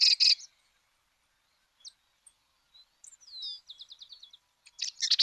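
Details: Song of a Sedge Wren from Argentina: a short buzzy burst, scattered thin high notes, then a quick run of sharp ticking notes, then a closing harsh rattle.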